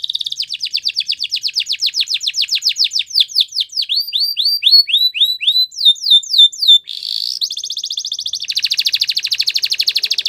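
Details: Belgian canary in extended song: accelerating downward-slurred notes, a run of arched chirps, brief rolled phrases, then long fast buzzy trills with even rapid pulses.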